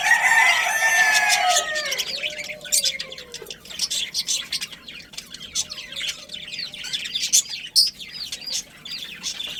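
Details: A breeding colony of budgerigars, kept as a family group: a drawn-out harsh squawk opens, then dense, rapid chirping and twittering notes tumble over one another for the rest of the passage.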